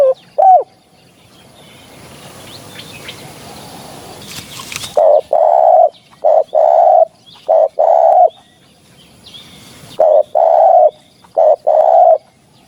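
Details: Spotted dove cooing for a hunting lure; after a single early coo and a stretch of rustling background, a steady series of short, low hooted notes in pairs and triplets, about one a second.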